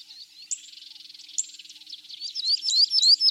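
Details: Abyssinian grosbeak-canary: a soft buzzy chatter with occasional higher squeaks, building into loud, quick rising whistles near the end.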